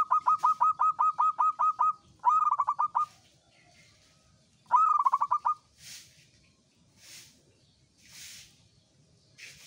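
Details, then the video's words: Local zebra dove singing the common 'uraa' style: a long run of about ten evenly spaced pulsed coos, then two shorter bursts, followed by soft breathy hissing sounds. "SUARA PERKUTUT LOKAL URAA UMUM GACOR NGAYER"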